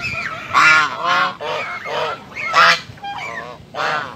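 A white domestic goose gives loud, nasal, harmonic honks in a quick uneven series, about six calls in four seconds, some rising or breaking in pitch.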